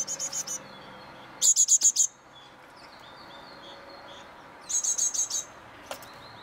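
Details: Great tits on an eleventh-floor balcony in Mariahoeve, The Hague, in May 2023: short bursts of five to six high, sharp repeated notes, one series opening, another near mid-clip and a third later, with a faint hum between.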